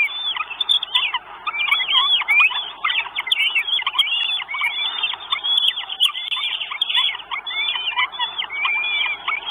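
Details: Northern goshawk nestlings, four chicks at an Estonian nest on 1 June 2022, on a live nest camera, calling for food with a steady stream of shrill, bent whistles that overlap and never pause.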